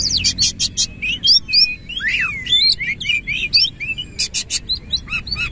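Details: Oriental magpie-robin singing vigorously with a rough, harsh fill-in style while spreading its tail: rapid, varied whistled notes, rising and falling slurs and buzzy bursts, steady low background hum.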